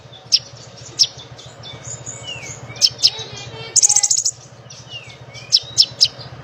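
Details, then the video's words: Lesser shortwing song made of sharp, very high single notes spaced about a second apart, slurred thin whistles, and one quick rattling trill, over a constant low hum. "burung konin gacor"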